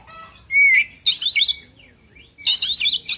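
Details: Oriental magpie-robin in fighting-style song packed with fill phrases. A pure rising whistle gives way to dense, rapid, grating chatter in two loud bursts, separated by a soft, falling whistled note.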